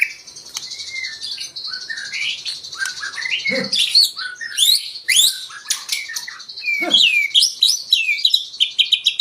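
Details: White-rumped shama (murai batu) song played to stir other birds into singing: a dense, varied run of whistles, sweeping slurs and sharp chips, with high notes and a few low, rough bursts around the middle.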